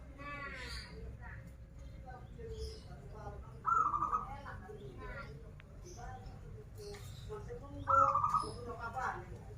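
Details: Local Banten zebra dove singing in krital style, loud rolling trilled coos about four seconds apart, each a brief burst with a vibrating tail, over steady low hum, scattered chirps from other birds and faint voices.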